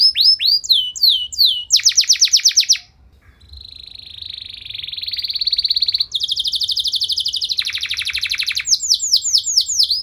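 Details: Indonesian canary with a long, ornate song meant to provoke other canaries: hooked whistles, a buzzy trill, a steady humming tone, then rolling trills and repeated down-slurred notes.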